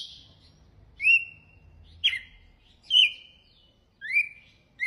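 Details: A red-cowled cardinal delivers its açoite song: clear whistled phrases roughly one second apart, some rising and others dropping sharply before trailing off in a flat tone.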